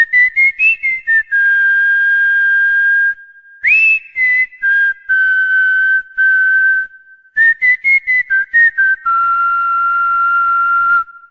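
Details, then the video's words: A pet cockatiel whistles the Corinthians football anthem, clear pure whistled notes in a melody of short rapid notes and long held tones, with brief pauses between phrases, indoors without other sounds. "ASSOBIO CALOPSITA - HINO DO CORINTHIANS"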